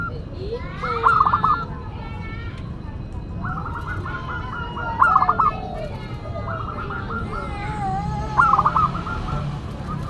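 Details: Singing local zebra dove with a classic, unusual voice: three separate phrases, each a fast rattling series of soft coos ending in a brighter trill, spaced roughly three seconds apart over faint background noise.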